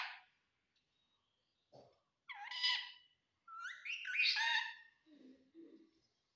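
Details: Parrot talking in Assamese, phrases like "ki korisa": several scratchy, word-like utterances of varying length, rising and falling, with soft lower sounds near the end.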